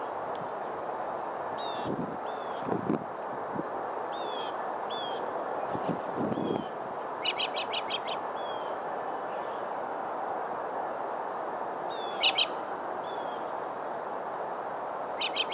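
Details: American robin recorded close up in Kissena Corridor Park, New York City, in March 2012, in spring; short, sharp, high calls in scattered bursts, with stuttered clusters near seven and twelve seconds, over a steady low urban rumble.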